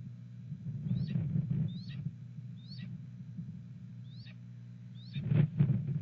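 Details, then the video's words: Adult red-tailed hawk at a campus nest site, 31 March 2014 early afternoon, vocalizing apparently toward its mate in strong wind: five thin, sharply slurred high calls roughly one second apart, heavy low wind roar throughout, louder gust near the end. "BR Vocalizes"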